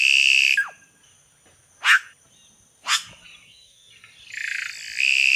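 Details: Red-rumped cacique: a loud, sustained buzzy rasp ending in a falling whistle, two sharp downward-swept notes, then another long hissing, buzzy phrase.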